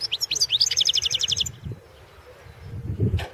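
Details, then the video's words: European goldfinch entered in the 2016 world goldfinch song championship: a quick run of sharp high twittering notes merging into an evenly repeated chattering series for about a second and a half, followed by low thumps and handling noise. "Pesma štiglića 004/ 2016 Ivana Mladenović World championship in Goldfinch Song 2016"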